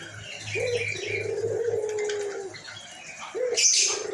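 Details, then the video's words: Albino white collared dove, noted for calling often and a hoarse voice: a brief rising note, then a two-second low, level coo. After a pause a second rising coo begins, with high chirping from other birds in the background. "Burung Puter Putih Gacor Suara Serakh"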